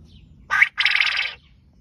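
A quail gives two harsh, raspy bursts: a short one, then a longer buzzy note lasting about half a second. The background is quiet.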